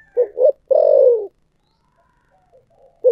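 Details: Spotted dove calling in the 'thổ sấm' style. A pair of short, deep hoots leads into a long, buzzy coo that drops slightly at the end. The next phrase begins just as the recording ends.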